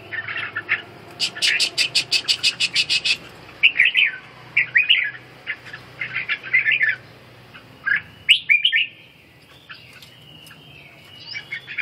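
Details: Red-whiskered bulbul in ché song training: opens with a rapid train of about a dozen sharp rattling clicks, then scattered bubbly whistled phrases and a rising slurred note, over a faint low hum.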